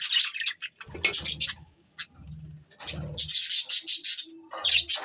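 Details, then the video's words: Pet budgerigars, December 22, 2023, with scratchy high chirps coming in bursts, mixed with low rumbling patter and rustling between the calls. "Bueatiful Sounds Bueatiful Budgies birds"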